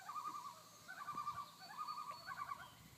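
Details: A pair of common loons, unseen, give tremolo alarm calls on Fifth Crow Wing Lake, Nevis, Minnesota: three quick bursts of wavering, laughing, rapid quavering notes over faint background hiss.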